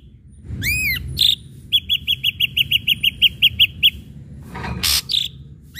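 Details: Ashy drongo singing to provoke other birds to sing: a rising-falling whistled arc, then a fast train of about twelve short even notes, followed by harsh bursts and clipped whistles.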